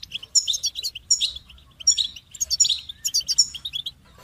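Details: A goldfinch sings fast, liquid twitters. Clustered high chips and trills come in four quick bursts separated by brief gaps, over a quiet background.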